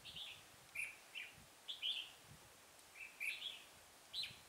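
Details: Decoy red-whiskered bulbul singing during trapping on a cold day of 12 degrees, 24 November 2017; quick bright chirped phrases of two or three notes, spaced about a second apart, over a low hiss.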